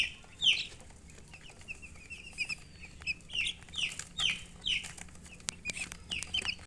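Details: Baby chicken chicks chirping: a run of shrill, high, downward-sliding peeps, about ten in under seven seconds, some louder than others, over a quiet background.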